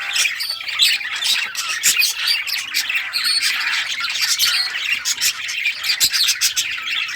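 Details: Budgies of rare colours chirping and playing with toys, June 2023; loud squawking chatter over busy warbling, many overlapping birds calling without pause.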